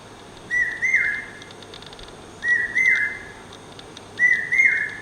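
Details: Common hawk-cuckoo in persistent song, three piercing whistled phrases at intervals of nearly two seconds, each a quick upward leap followed by a falling slur, set against a soft hiss with faint high clicking.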